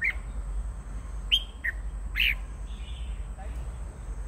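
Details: Red-whiskered bulbul singing: a few short, bright chirped notes with quick upward and downward sweeps, spaced irregularly, over a steady high whine and low rumbling background noise.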